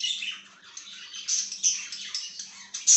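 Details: Budgerigar chirping: quick run of warbled, slightly buzzy high notes ending in a loud sharp squeak, over a low hum.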